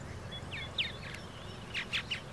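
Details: Purple martin calls: a few rough descending chirps followed by a quick burst of three louder creaky notes, against a constant low rumble.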